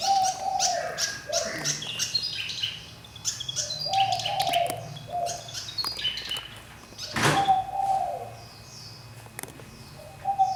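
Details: Fantail bird singing after a year in a cage with plenty of space: lively chirps and tweets with repeated mid-pitched whistles dipping at the end, plus brief sharp clicks and a quiet background hum.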